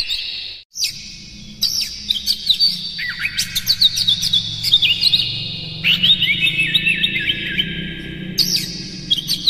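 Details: Oriental magpie-robin (kacer) singing in the morning as a tutor lure for captive birds: long, varied, loud sequence of sweet whistles, rapid chatters and mimicked-sounding trills, phrases shifting pitch, with a low hum underneath.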